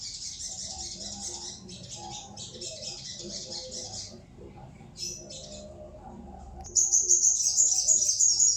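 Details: Sooty-headed bulbul song in rapid high bursts: several chattering, buzzy trills of one to two seconds separated by short pauses, ending in a louder, sharper shimmering trill, with a soft low murmur behind.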